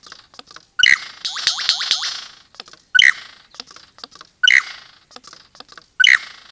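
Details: A male superb lyrebird on a property, mating with a female, gives loud, harsh, ringing bursts every one and a half to two seconds, with quick swooping whistles and dry clicks between; the laser-like sounds are the male's own song.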